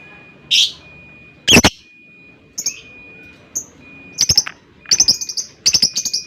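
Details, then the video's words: Lovebird long ngekek chatter, used as a lure sound: harsh high chirps followed by quick stuttering bursts of rapid notes, with a thin steady tone running behind. "LOVEBIRD LAWAN LANGSUNG NGEKEK PANJANG"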